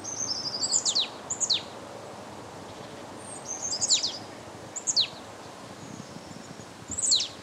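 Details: Marsh tit (Poecile palustris) in winter, Limousin, France, 8 February 2012 during a cold snap, giving high, thin, sharply descending call notes, singly or in quick pairs every second or two, over steady low hiss.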